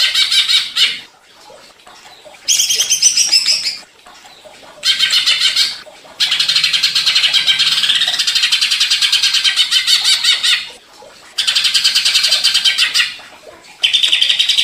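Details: Greater green leafbird provoked into agitated singing: bursts of loud, rapid chattering and trilled notes separated by brief silences, some phrases higher and squeakier, delivered in fast repeated pulses.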